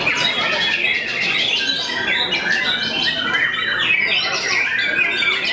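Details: White-rumped shama, a renowned bird said to make many rivals back down, pouring out a dense, unbroken stream of varied whistles, short chatters and sweeping notes, steady in loudness throughout.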